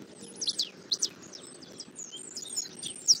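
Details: Bald eagle at a nest in Southwest Florida, 8 February 2024 at 11:00, as an adult male brings a catfish and feeds an eaglet: sharp, high, thin descending notes in short bursts over a steady background of insects and distant birds.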